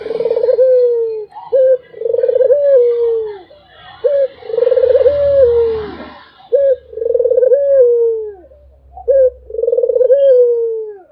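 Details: Barbary dove cooing steadily: each phrase opens with a short sharp coo and then a long vibrating, gently falling coo. The phrases follow one another roughly every two and a half seconds, with a faint low hum beneath.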